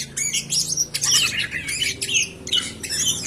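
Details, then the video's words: Greater green leafbird song meant to make other birds sing: busy, harsh and squeaky chattering phrases, almost unbroken, over a low steady hum. "PANCINGAN SUARA BURUNG CAK IJO BAHAN AGAR CEPAT GACOR"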